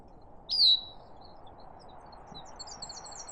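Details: A Bicknell's Thrush on a Maine mountaintop in the morning gives a single high, slurred call that drops in pitch over under half a second, then faint high chips over a steady wind-like hush.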